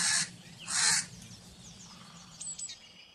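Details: Crow with two loud, harsh caws in quick succession, followed by faint thin whistles of smaller birds in the background.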